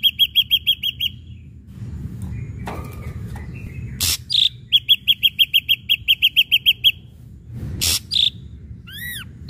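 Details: Ashy drongo song used as a lure for other birds: quick series of clipped high notes, harsh rasping bursts, another long run of about fourteen short notes, and closing arched whistles with overtones.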